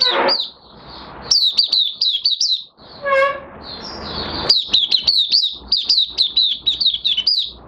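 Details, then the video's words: Captive Oriental white-eye in minor moult, recorded 3 June 2022, starting up its song: rapid high, thin twittering phrases of quick chirps repeated in bursts, with a brief harsher tonal note and some background noise mid-way. "Mata Puteh Kitaro V1 buka sing"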